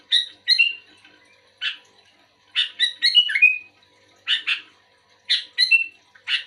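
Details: Active sooty-headed bulbul calling back to another bulbul: brisk repeated bursts of bright chirps and falling warbled notes, about nine short phrases, clean background.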